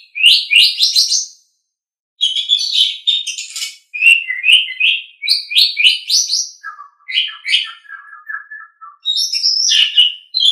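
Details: Training recording of an Asian pied starling in full song: fast rising chirp series, harsh buzzy phrases, a pause, then lower repeated notes and bright falling whistles.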